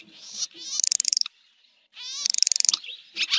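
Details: Swallow calls, 2023 recording: two rattling bursts of fast, ringing clicks over a harsh buzzy tone, separated by a near-silent gap, then a final sharp chirp.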